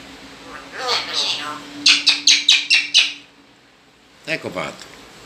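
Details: Two captive pet talking common blackbirds kept indoors give a run of five sharp, high chirps about a third of a second apart, followed after a pause by a shorter burst of chirps, with a steady low hum and faint voices in the room.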